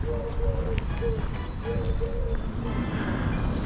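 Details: Doves in street trees in Mazatlán, Mexico, in March 2022 give soft, low hollow coos in short repeated phrases, partly buried under heavy street traffic and footsteps, with many birds around.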